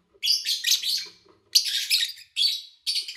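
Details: Lovebirds recorded cleanly in August 2019 give loud, rasping chirps in four bursts over three seconds, the first a rapid run of several notes and the later ones shorter doubled notes.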